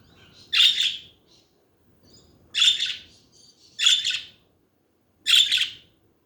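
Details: Budgie birds chatting: four loud, harsh chirps, each a rasping burst lasting about half a second, separated by gaps of one to two seconds, with faint low rumble underneath.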